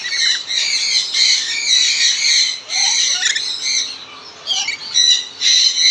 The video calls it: lorikeet parrot pair